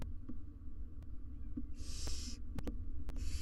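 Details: Wild barn owl family, both parents with three nestlings, sharing a peaceful moment inside a nest box, recorded on a live cam; two bursts of breathy, noisy hissing stand out over a steady low hum and faint clicks.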